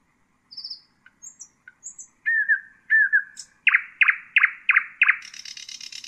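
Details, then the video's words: Nightingale song played to teach young birds, opening with thin high whistles and slurred notes, then five loud evenly spaced chirps ending in a buzzy rattle. "أفضل تغريد للعندليب الحسينة لتعليم الفراخ"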